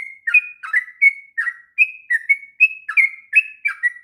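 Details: Long ngropel song of a sooty-headed bulbul, meant for tutoring raw young bulbuls: fluty two-part phrases that slur down then jump up, about three notes a second, clean with no background noise.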